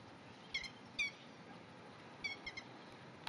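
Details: Grey-headed lapwings crying out while chasing a cat and other lapwings off their rice-paddy territory, 30 May 2010; scattered, fainter harsh shrieks in small clusters, some doubled, over steady low background noise.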